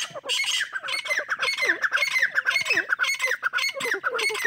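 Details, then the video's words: Teetar chicks squealing continuously, a dense run of shrill looping, wavering cries repeated nearly twice a second, overlapping one another with barely any pause. "teetar chicks voice"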